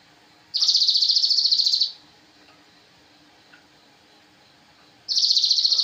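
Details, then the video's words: Master song of the Javan cochoa for tutoring songbirds, heard as a long, rapid, buzzing high-pitched trill of evenly spaced pulses, with a second trill starting after a gap of about three seconds. "masteran sogon"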